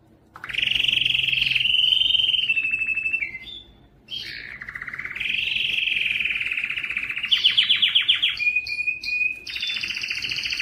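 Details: Long canary song used to stimulate males: loud sustained trills, a brief pause, a rising rolling phrase, a fast repeated rattle and closing high chips, all in quick succession.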